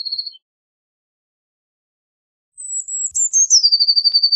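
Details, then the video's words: A blue tit sings. The end of one trill is followed after a pause by a new phrase of high, thin, falling notes that lead into a quick, bright, repeated trill. "Blue Tit Singing! Blue Tit Calling! Blue Tit Sound! - Herrerillo Común Canto"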